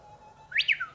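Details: Japanese bush warbler in morning song from a treetop instead of its usual low shrub perch: a long, soft, low steady whistle, then a sudden loud rising-and-falling two-note flourish.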